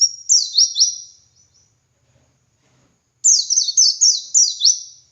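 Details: White-eye (pleci dakun) performing ngalas song, a training recording for other white-eyes: a run of high, falling slurred notes that fades out, a long silence, then a fresh string of rapid descending sweeps.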